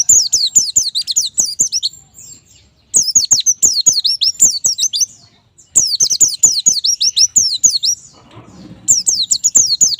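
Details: Caged white-eye in full song as a tutor track to get other captive birds singing often: bursts of fast, high, twisting twitters lasting about two seconds, separated by short pauses, with low clicking and faint rustling.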